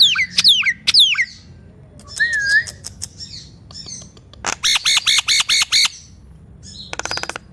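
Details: Nias hill myna singing to encourage silent mynas: loud swooping whistles, a low warbled note, scattered clicks, then a run of six nasal ringing notes and a final dense buzzy burst.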